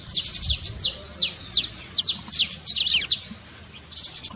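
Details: Canário-da-terra, the saffron finch, in trincado song to rouse a cold canary: uneven high chirps and sweeps, thinning out briefly before a fresh burst at the end.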